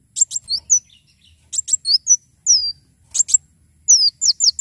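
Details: Lively Javan sunbird song of rapid high chirps and slurred, falling whistles, delivered in tight bursts with brief gaps between phrases. Light low knocking sounds behind.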